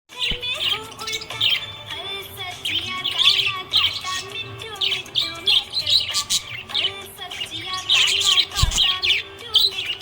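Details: Happy budgerigar chirping in bursts of warbled, scratchy high notes, with steady tonal music playing underneath throughout.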